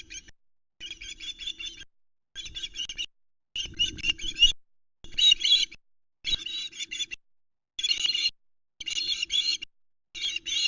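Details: Two young sister Ospreys on the Loch Arkaig nest in Scotland, about 8 pm on 11 August 2019, begging noisily as the male brings only a tiny fish: harsh, pulsed high calls in bursts about a second long, repeated with short gaps, over a faint steady hum.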